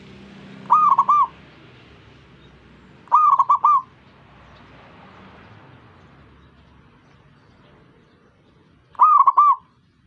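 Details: Zebra dove singing to coax other zebra doves into song: three rapid, rolling coo phrases of rounded mid-pitched notes, two close together and a third after a five-second pause.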